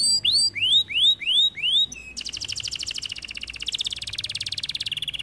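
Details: A singing canary gives several loud, rising, whistled notes, then breaks into a long, fast, buzzy trill that grows denser and richer.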